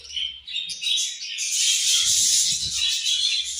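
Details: Caged budgerigars chirping at their morning feed: a loud, dense wash of high, buzzy twittering and warbled chatter that swells after the first second and stays busy, with faint low thumps beneath.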